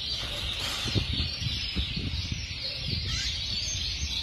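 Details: Several white canaries sing at once in a steady, high, rolling warble of overlapping trills, with low knocks and thumps underneath.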